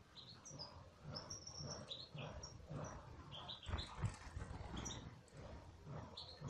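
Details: Captive European goldfinch uttering scattered high, thin chirps and brief twitters over a steady low rumble, with a couple of soft knocks midway.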